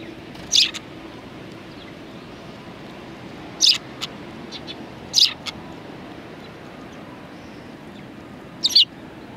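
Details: High, clipped chirps from sparrows at a Tenmangu shrine on 23 January 2019. Four loud single notes are spaced several seconds apart, with a few fainter chirps between, over low steady ambient noise.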